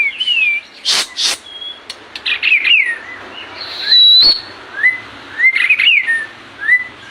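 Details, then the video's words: Tutor song of the white-rumped shama for caged birds. Harsh broadband notes mix with varied slurred whistles, a long high sustained whistle near the middle, and closing runs of rising and falling phrases. "macam macam suara murai batu bagus buat masteran"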